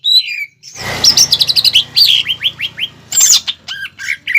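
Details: Prompting and tutor song of a greater green leafbird, rich in pelatuk bawang phrases; a high whistle, then rapid chirps and a series of quick downward-slurred notes, with scattered sharp calls at the end.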